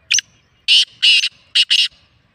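Black francolin giving a loud, harsh, grating phrase: a brief lead-in note followed by two pairs of rasping, buzzy bursts, all within two seconds.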